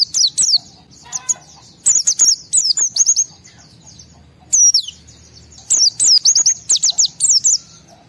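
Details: An excited, highly agitated white-eye sings to provoke other white-eyes into singing. The song is made of high, thin, sharply slurred chirps and fast twittering bursts, broken by short pauses.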